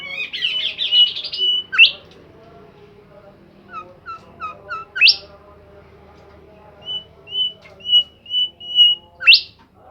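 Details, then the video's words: Bimoli bird singing at length: a warbled passage, a steep upward sweep, short falling chirps, another loud rising sweep, then a run of level whistled notes ending in a further sweep. "super jos burung Bimoli gacor"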